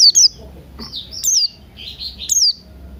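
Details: Morning song of Buxton's white-eye with cucak rante, used to coax birds into singing: high sweet warbles interleaved with three sharp down-slurred notes in quick succession.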